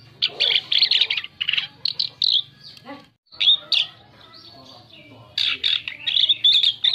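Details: Lure song of an Asian pied starling: loud bursts of harsh chattering and whistled notes, a brief near-silent gap in the middle, then a renewed dense flurry of scratchy, buzzy phrases, low hum in the background.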